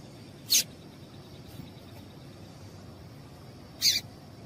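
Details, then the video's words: Two brief, high chip notes from a female yellow-bellied seedeater, a call said to stir males into song, set about three seconds apart against a quiet hiss and faint steady whine. "Esse Piado de Fêmea de Papa capim é Seu Papa capim Vai Ficar Cantando RÁPIDO!!!"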